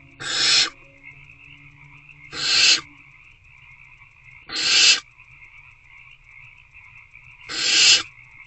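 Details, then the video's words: Owlets begging in a nest box on 26 February 2024 at 8:13 pm, hungry and trying to eat a rodent: four sharp, broadband hisses spaced two to three seconds apart against a persistent high hum. "Hungry Owlets Try Again to Eat The Rodent."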